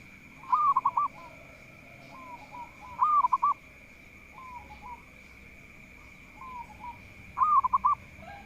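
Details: Local zebra dove, a bird that sings freely and is said to be good at drawing rivals into singing, giving three loud pulsed cooing phrases about every three seconds. Softer, lower rising coos come between them over a steady high whine.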